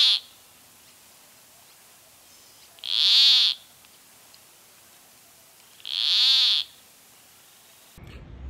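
Peruvian Plantcutter giving harsh, buzzy, frog-like croaks, three in all, each under a second and spaced about three seconds apart. A brief clunk ends the recording.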